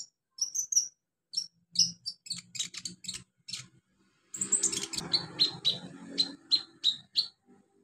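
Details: Song of a wild olive-backed sunbird in its natural habitat: scattered high sharp tweets, then a dense chattering burst followed by evenly spaced bright downslurred notes, with a low hum in the background.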